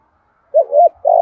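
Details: Decoy spotted dove calling to lure wild birds: one cooing phrase of two quick wavering notes, then a sustained throaty coo.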